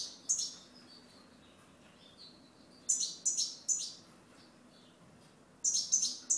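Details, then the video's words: Goldfinch song in scattered bursts: a high twitter at the start, a cluster of three quick sliding chirps mid-way, then a final tinkling pair after a pause. "Chant Chardonneret"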